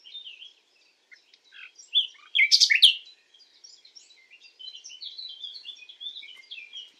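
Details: Common nightingale singing at night; a varied run of high chirps and short whistles, broken by a loud, harsh burst of rapid notes near the middle, then a steady stream of quick, thin twittering notes.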